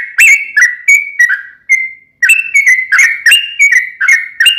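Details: Sooty-headed bulbul song used as a lure to make a caged bird answer: loud, clear whistled phrases around one pitch, short notes with slight rises and falls, repeated rapidly after a brief pause.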